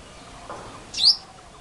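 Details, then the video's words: A male purple sunbird calls a single sharp, high, rising note, a quick thin 'tsweet', over quiet background. "Purple Sunbird-Male call মৌটুসি"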